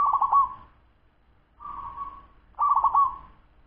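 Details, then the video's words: Fast song of a 10-month-old local zebra dove: a rapid stuttered trill melting into a drawn-out mellow coo, then a plain steady coo and another trilled phrase, all low and soft. "Suara perkutut lokal cepat usia 10 BULAN"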